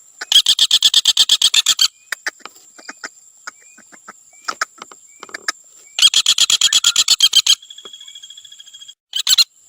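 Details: Common flameback (Dinopium javanense) gives two loud rapid rattles of evenly spaced harsh notes, separated by quieter scattered taps. A fainter rattle and a short final burst follow, over a constant high-pitched whine.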